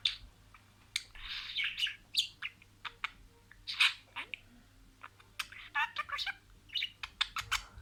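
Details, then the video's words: Talking pet budgerigar mimicking words: rasping, warbled phrases mixed with sharp ticks and chirps, loudest near the middle, with a low background hum throughout. "SIRALI KELİMELER, MUHABBETKUŞU SESİ,MUHABBETKUŞU KONUŞMA SESİ DİNLE"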